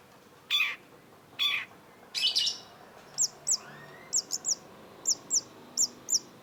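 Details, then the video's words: Long-tailed shrike, locally called cendet: three harsh, scratchy bursts, then a series of short, high, sharp paired chirps at irregular intervals over a steady low background hiss. "cendet gacor MASTERAN CENDET BANYAK DICARI PECINTA BURUNG || Long-tailed Shrike"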